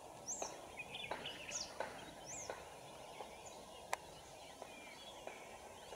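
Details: Yellow-crowned woodpecker (Dendrocopos mahrattensis) foraging at Pale-velsao in May 2018: thin, very high, sharply falling call notes every second or so, mixed with dry taps or clicks over steady hiss.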